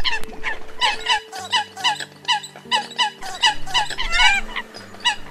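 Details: Competing calls of Eurasian coots, used as a 2020 early-season hunting lure for migrating birds: rapid chorus of nasal, ringing honks and sharp squeaks, several birds calling together, some notes sweeping upward, over a steady low hum.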